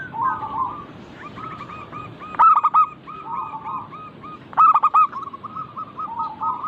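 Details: Local zebra dove (perkutut) song: a rolling, hurried trill of cooing notes, with two loud strident phrases about two seconds apart. A background of softer overlapping trills sits over low rumbling noise.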